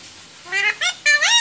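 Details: Pet talking rose-ringed parakeet indoors giving three nasal, harmonic notes that rise in pitch, the last one longest and loudest.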